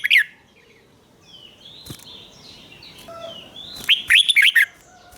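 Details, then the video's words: Red-whiskered bulbul cage bird singing in the 'rik' doubled style for young birds to copy: a brief opening note, scattered faint whistles, then a loud burst of quick liquid notes near the end. "นกหัวจุกนกร้องริก เบิ้ล3 เปิดให้นกฟังก๊อปติดง่าย"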